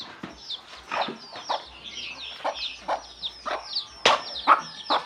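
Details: A hen calls her chicks to food with short, repeated clucks, about two per second, each a brief broad 'kuk'; many chicks peep shrilly and continuously above her, with a louder cluck near the end.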